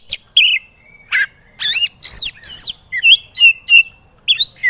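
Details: Training song of a white-rumped shama used to get reluctant birds singing: loud rich whistles sliding up and down, buzzy squawk-like phrases, then a run of short clear rising notes with gaps between.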